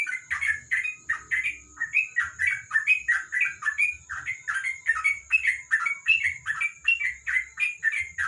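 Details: Sooty-headed bulbul in continuous ropel song at night under a lamp: fast, tightly packed slurred whistles, several per second without pause, loud and bubbly, against a steady high electrical tone and faint low rumbles.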